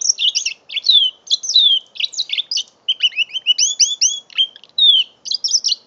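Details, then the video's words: Five-month-old mule canary, a canary hybrid, recorded on an Android phone in November: a fast, varied twittering song of high chirps, slurred downward whistles and paired rising notes, nearly continuous for six seconds with a faint low hum behind. "My 5 months old mule canary"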